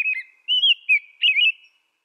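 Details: American robin delivering a continuous stream of liquid, warbling whistles, phrases run almost together with rising and falling slurs, ending abruptly after about one and a half seconds.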